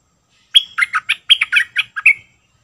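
A sooty-headed bulbul gives a quick, bubbly phrase of about eight liquid, fluty notes, rising and falling over under two seconds, in a quiet setting.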